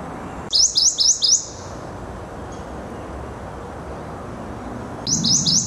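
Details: A Prothonotary Warbler singing at Skokie Lagoons on 30 May 2010 gives a quick string of four loud, ringing sweet notes, then repeats the phrase after a pause, over a faint low rumble.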